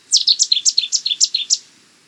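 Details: Cetti's warbler song: one explosive burst of about eleven rich, high staccato notes poured out in roughly one and a half seconds, then abrupt silence, with no other sounds.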